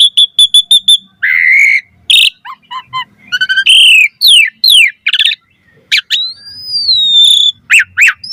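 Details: Asian pied starling song played to draw in other starlings: a rapid run of sharp notes, harsh squawks, falling slurred whistles and a long wavering high whistle, densely packed.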